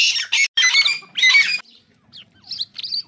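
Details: Irani king jal in song, giving loud harsh, scratchy bursts mixed with thin whistled tones, followed after a pause by softer, short high twittering notes.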